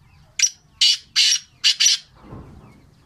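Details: Sindhi black francolin giving a rasping, high, scratchy call of five quick bursts within two seconds, followed by faint low background noise.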